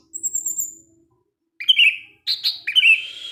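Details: Orange-headed thrush, evening 'teler' song aimed at provoking other thrushes: a thin high trill, a pause, then two phrases of slurred mid-pitched whistles and buzzy notes.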